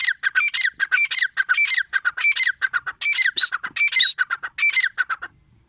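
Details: Grey francolin, locally teetar, giving a steady loud series of harsh, ringing squawked notes in rapid groups for over five seconds, fading at the close.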